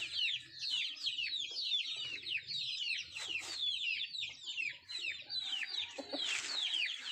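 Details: Country chickens eating food: a dense chorus of high, thin peeps sliding downward, overlapping almost without pause, with soft low pecking thuds and a brief louder burst near the end.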